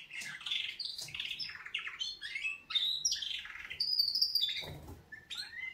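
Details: Canaries singing their wake-up song: a dense, varied stream of chirps, slurred whistles and quick trills, with a bright high whistled passage near the end and steady lively delivery.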